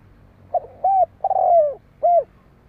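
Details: Soft, hollow cooing from a spotted dove, a brief lead-in note then three low coos, the middle one long and falling, the last short and rounded, over quiet low hum.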